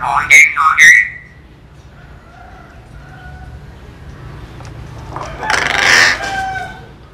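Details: A common hill myna mimicking human words: two sharp, ringing, syllable-like calls open the recording, followed by faint tones and a broad, noisy squawk later on.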